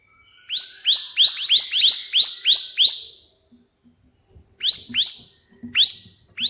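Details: Bar-winged prinia singing actively in the 'tembakan' burst style of the white prinia, offered as a tutor recording: a rapid run of sharp, high upswept notes, about three a second, then a pause and a few more.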